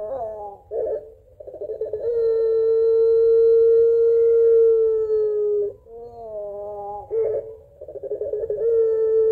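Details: Calling its mate, a puter pelung barbary dove gives rough burbling notes, then a long steady held coo of about four seconds, a dip, another burble and a further sustained note.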